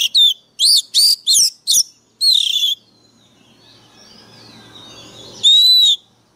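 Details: Oriental magpie-robin used as a decoy, fired up and singing harshly: a run of five loud, clipped whistled phrases, each arching up then down, followed by quiet hum and faint warbling before one long bright whistle.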